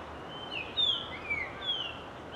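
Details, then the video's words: A resident Japanese grosbeak sings three clear, fluty whistled notes, sliding up and down, about half a second apart, over a soft outdoor hiss; other grosbeaks of a flock may be calling nearby. "イカルのさえずり A song of Japanese Grosbeak"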